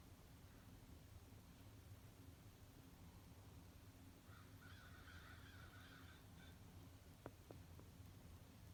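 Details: Low background rumble runs throughout. Midway it gives way to a dense burst of harsh caws from a morning flock of at least 60 crows visiting a bird feeder. A few sharp clicks follow.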